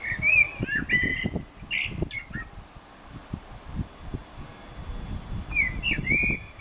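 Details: Eurasian blackbird singing in Utrecht on 9 June 2014; short whistled phrases open and close the passage, with a buzzy twitter early on, while soft low thumps and rustling run underneath.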